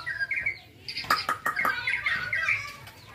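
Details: Young white-rumped shama, a contest bird, giving clear whistled notes broken by several sharp clicks, then a run of warbled phrases.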